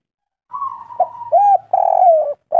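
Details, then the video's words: Brief kuk 3 phrase from a local spotted dove: a long even note, then a broad arched coo and a sustained, slightly falling hoot. "Derkuku kuk3 lokal gacor"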